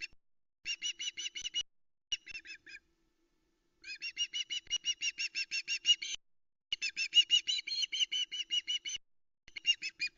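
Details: Female osprey calling insistently on the Loch Arkaig nest, nest cam footage from the afternoon of 26 August 2020 as the male brings a live mackerel: several bursts of quick, shrill whistled notes with uneven gaps.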